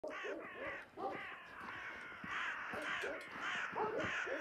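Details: Crows calling very early in the morning at the end of March while chasing a hawk that has caught a collared dove. Harsh, overlapping caws come in quick bursts of two or three against a busy background.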